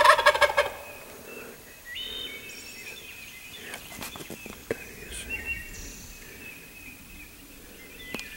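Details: A wild turkey on its roost tree, with hunters right beneath it on a Kentucky morning hunt in 2013, gives one loud, rapid, gurgling gobble under a second long, followed by thin songbird whistles and chirps.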